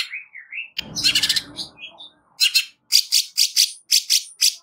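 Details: Greater green leafbird giving a harsh, rapid 'nembak kasar' song for training: soft whistles, then a scratchy chattering burst over a low rumble, followed by a steady series of sharp rasping notes.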